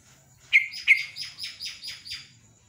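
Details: Two sharp bright chirps from a yellow-vented bulbul, then a run of five softer, evenly spaced buzzy notes fading away, against a steady high background tone.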